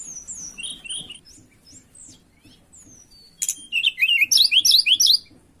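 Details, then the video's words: Tledekan in breeding condition calling out for a rival: scattered high slurred whistles, then a loud, rapid series of bright, chirping notes repeated in quick succession. "Pancingan Burung Tledekan Gacor Birahi Cari Lawan"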